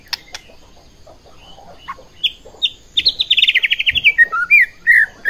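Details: White-rumped shama song played to provoke other shamas into agitated singing: after soft scattered notes, a fast descending rattling trill and a few clear whistled slurs ring out loudly.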